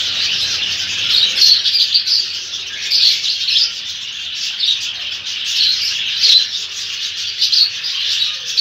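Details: Lovebirds scuffling with an Indian ringneck, a steady stream of high, rasping chirps and squawks with brief sharper peaks, no pause throughout.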